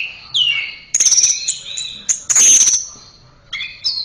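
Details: Orange-headed thrush song for training: a descending whistle followed by loud harsh, buzzy bursts and a final pair of rising whistled notes, with quiet gaps between.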